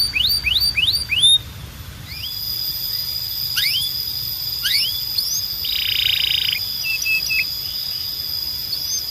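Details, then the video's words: Belgian canary singing several sharp downslurred whistles, then a steady high tone with scattered slurs, a brief buzzy roll, and short level notes. "Don’t Play This Near Your Belgian Canary… It Might Sing Non-Stop"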